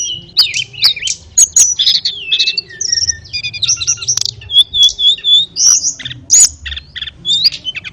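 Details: Master-song recording of an Ashy tailorbird for tutoring canaries and magpie-robins: busy run of shrill chirps, down-slurred whistles and short rattling trills, delivered in quick bursts with short gaps.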